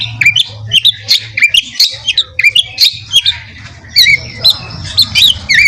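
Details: Master songbird for training contest birds, rough fill style: repeated clear whistled notes sliding up and down, steadily delivered over a low background hum.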